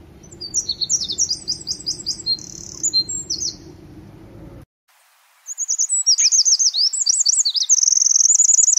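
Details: Wild Eurasian wren singing high, fast trilled phrases over steady low rushing noise, then, after a brief silence, a clear energetic stream of shrill notes ending in a long rattling trill.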